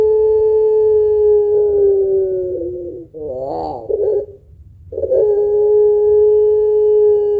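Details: Puter pelung barbary dove used to stimulate other birds, its long thick kuwok heard as a sustained low coo, a quavering, wobbling middle section, a brief silence, then another long steady coo.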